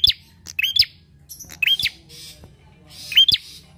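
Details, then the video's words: A Bar-winged Prinia, in a recording used as a lure, gives sharp, high chirping notes in quick bursts, each a rising-and-falling squeak, repeated several times with short gaps and faint clicks between. "PANCINGAN PRENJAK KLAWU GACOR!"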